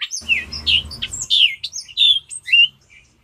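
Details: A Hispaniolan oriole (Icterus dominicensis) sings a quick series of high, clear whistled notes, some slurred up or down, about two to three per second, with a faint low hum underneath.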